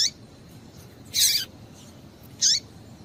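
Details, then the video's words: ['Female double-collared seedeater piping to set a male singing: a broad, harsh, high chirp followed a second later by a shorter one ending in a falling note, over soft hiss.'] "Piado de Fêmea de Coleiro para Esquentar Coleiro"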